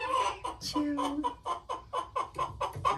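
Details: Guineafowl in a flock of nine, coming home to roost at night as they are locked up. Loud harsh clucking notes repeat in a fast uneven rhythm, about eleven in three seconds, with a person laughing faintly.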